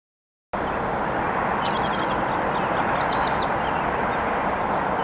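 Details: A Spotted towhee sings along the Kim Williams Nature Trail by the Clark Fork River, Missoula, Montana, in riverine and upland habitat: high down-slurred notes quickening into a rapid trill, about two seconds, over a steady roar.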